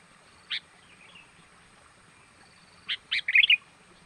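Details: Sooty-headed bulbul lure sound for drawing in wild birds: a lone sharp note, a pause, then quick notes running into a short liquid, chattering flourish.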